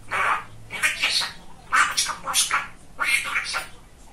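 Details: Male budgerigar kept as a talking pet, very chatty, in a small room; rapid run of harsh, speech-like chattering syllables in three bursts, with bright scratchy notes over broad noisy sound.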